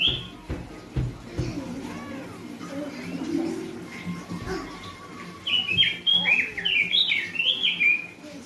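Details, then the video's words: Orange-headed thrush song used as a lure to train a young bird: after low murmuring, a burst of rapid, varied whistled phrases arrives in the last three seconds, with a steady background hum. "burung robin gacor pancingan buat burung robin bahan"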